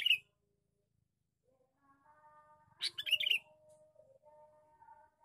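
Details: Lure call of a male sooty-headed bulbul: one brief bubbly burst of mixed notes, preceded by a clipped note and set against a faint background hum.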